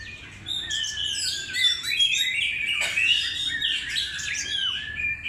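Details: Oriental magpie-robin singing for use as a lure, a fast, dense torrent of varied whistles, slurred notes and scratchy trills, phrases tumbling without pause across a high pitch range, with a faint background hum.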